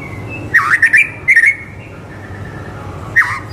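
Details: White-rumped shama (murai batu) singing, a recording meant to train young shamas: brief bursts of rich warbled whistles separated by pauses, over a steady low hum.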